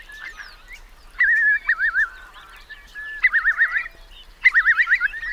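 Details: Eurasian curlews taking refuge from a high spring tide in wet meadows at Marquenterre, Bay of Somme, France, 7 October 2021; loud bubbling trilled phrases in three bursts, with softer calls from other curlews behind.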